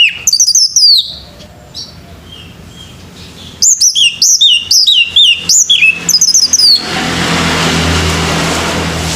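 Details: Male orange-headed thrush in morning song for bird training: rapid strings of high, looping whistled notes in two phrases, followed by a rising hiss of noise near the end.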